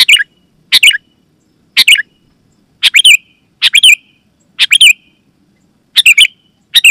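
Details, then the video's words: Sooty-headed bulbul calling loudly and clearly, meant to lure wild birds and prompt other bulbuls to sing; quick bubbly two- and three-note chirped phrases at irregular intervals of about a second, no other sounds. "Suara Burung KUTILANG GACOR,Super Ampuh Keras, Lantang dan Jernih, Burung Kutilang Lain Auto Gacor"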